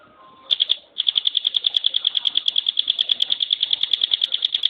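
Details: Bar-winged prinia (ciblek gunung or pinus), a contest bird, starting its dense "tembakan" song: after a faint quiet opening, a few shrill notes, a brief pause, then a long rapid run of evenly repeated high ticks.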